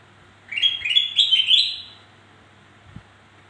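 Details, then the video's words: Black-crested bulbul sound played to prompt lazy birds into singing: a quick run of four or five warbled, rising chirps in about one and a half seconds, then a soft click against steady low hum. "Suara Burung kutilang Emas Untuk Memancing Bunyi Burung Malas Bunyi"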